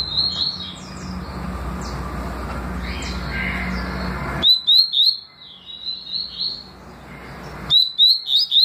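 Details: Double-collared seedeater singing tui tui and deputado styles: rapid, loud, high chirped and slurred whistles delivered in clustered bursts, with louder clean phrases standing out above a low background hum.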